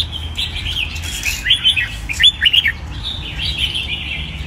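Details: Caged red-whiskered bulbul singing: short warbled whistled phrases, bright and slurred, in several bursts with brief pauses, over a low steady hum.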